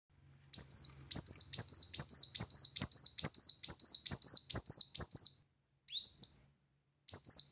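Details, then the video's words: Brown-throated sunbird in loud 'tembakan' shooting song: a fast run of about a dozen high, sharp, down-slurred chirps at roughly two per second, then a pause, a single rising whistle and another chirp. "Kolibri Wulung Gacor Tembakan Keras"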